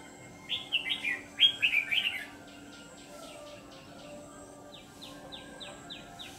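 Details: Red-whiskered bulbul used as a decoy to lure others for trapping, a newly swapped-in white-cheeked bird in the ché singing style; one burst of quick warbled, slurred phrases, then fainter evenly repeated short notes in the background.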